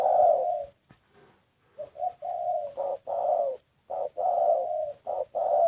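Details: Spotted dove cooing: a loud opening coo, a quiet pause, then a rhythmic series of short and long hollow notes, some rising slightly before falling, in a distinctive patterned phrase.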